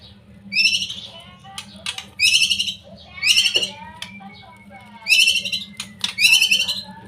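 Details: Young white-rumped shama giving a lure song that spurs silent shamas to sing: harsh, buzzy, grating notes repeated about every second, mixed with sharp clicks and a thin, steady whistle, over low background hum.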